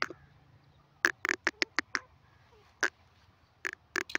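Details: Grey francolin, known locally as desi teetar: short, loud, harsh notes. A quick cluster comes about a second in, then spaced single notes and a closing pair near four seconds, over a faint low hum.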